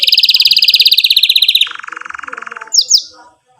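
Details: Canary singing as a lesson for young birds, a fast buzzy trill of rapid repeated notes dropping into a lower rattling roll, ending with two sharp high chirps.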